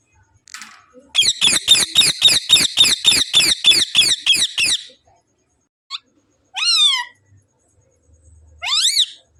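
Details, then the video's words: A parrot gives a rapid run of about a dozen harsh, high, evenly spaced squawks, then a few separate rising and falling screeches. "parrot real sound l cute parrot talking everything"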